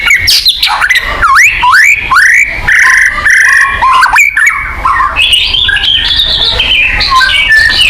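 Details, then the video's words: White-rumped shama singing, played to spur caged shamas and restore their boldness: swooping, rich whistles that dip and rise, sliding notes and a tumbling, varied warble. "pancingan burung murai batu agar bunyi"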